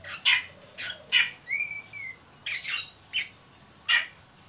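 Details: Harsh grating squawks from an Oriental magpie-robin performing ngeriwik calls to stimulate young birds, broken by one smooth arched whistle; bursts come in clusters about half a second apart, then a gap.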